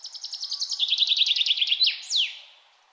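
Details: Bird singing in nature: a fast, high trill of rapidly repeated notes that slowly drops in pitch, then ends with two sharp, sweeping downslurred notes.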